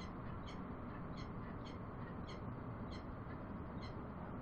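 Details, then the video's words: Bellbird giving clear, bell-like pings at an even pace of about two per second, heard over a steady low-frequency rumble. "Bell bird sounds"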